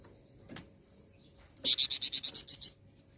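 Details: A flowerpecker (flamboyan) gives its lure song, played to get other birds singing: a single bright run of about ten rapid, very high notes after a faint chip.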